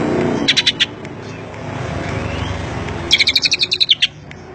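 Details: Song of a greater green leafbird in the isian Cililin style. A short run of four clipped high notes, a pause, then a longer string of about a dozen rapid, evenly spaced chirps, with low background noise.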